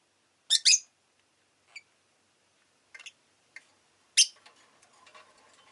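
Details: Rosy-faced lovebird chirping: a few sharp, harsh chirps in a quick pair, then scattered shorter squeaks over about five seconds, with faint low street noise at the end.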